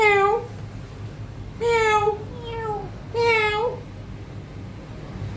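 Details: A grey parrot gives three drawn-out, cat-like meows, each about half a second long and roughly a second and a half apart, over a low indoor hum, amid repeated "hello" and "meow" mimicry.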